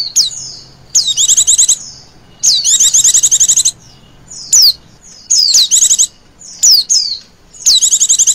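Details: Female Oriental white-eye trilling call for luring birds. Three long, rapid, high-pitched trills are interspersed with isolated thin, falling whistled notes.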